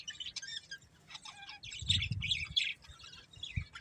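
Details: Fast continuous twittering from a breeding pair of budgerigars, a rapid stream of scratchy, buzzy chirps with some low knocking beneath.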